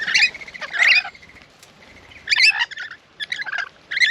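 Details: Rainbow lorikeets, a flock at a garden bird bath in Australia, arriving one after another; harsh, high screechy chattering bursts repeated irregularly, with short gaps between outbursts.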